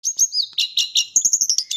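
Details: Tame, persistently singing white-flanked sunbird in chattering full-repertoire song: quick high twittering notes, a buzzy trill of evenly spaced pulses, then bright sharp chips at a fast pace.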